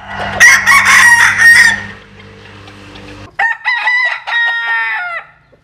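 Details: While sunbathing, a Jap Cuban bantam cock gives a loud, raspy crow of over a second. A low steady hum follows, then a second crow with clearer stacked tones that falls away at the end.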